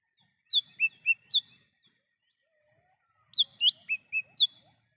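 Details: Lesser green leafbird in the wild, sound used as a lure: two phrases of four to five crisp whistled notes, alternating higher and lower pitches, separated by a short quiet gap.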